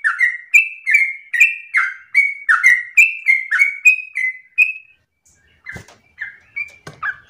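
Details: Yellow-vented bulbul in lively ropel-style song: a fast run of short, slurred chattering notes, about three per second for five seconds, then a pause and a few scattered, sharper notes.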